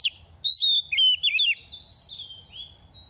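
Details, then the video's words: Moulting oriental magpie-robin in its second season, a quick, eager singer, delivers a short run of loud, clear, slurred whistles that fall and rise, then softer trailing notes over a constant faint high tone. "Kích chim hót mùa thay lông | Choè than bánh tẻ lên 2 vụ mau mồm đang rớt lông p3 Kích Choè Than Hót"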